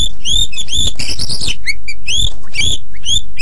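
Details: White-rumped shama in full, very vocal song, used as a master recording for other birds to learn: loud arched whistles repeated several times, broken by harsh rasping bursts, with low rumbling in the background.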